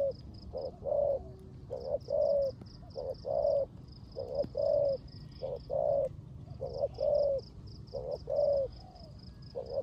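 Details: Spotted dove kept as a decoy bird, giving the 'rước gù' style of cooing in the rain. Low, soft coo phrases repeat in clusters of two or three notes, almost one per second, over a steady high dashed buzz.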